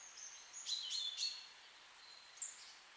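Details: High, thin whistled notes and a brief trilled flourish from a woodland bird in a beech forest with flowering rhododendrons, with faint distant singing and low background hiss.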